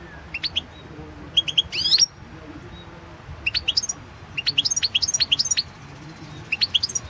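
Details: European goldfinch singing for a 2016 world championship competition recording: spaced, sharp high twitters and short descending chip series, with bursts of rapid tinkling notes in the second half, over faint low noise.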